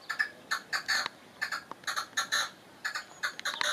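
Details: Rapid tinkling, chattering phrases from a European goldfinch, short bursts separated by brief gaps, some notes sliding high.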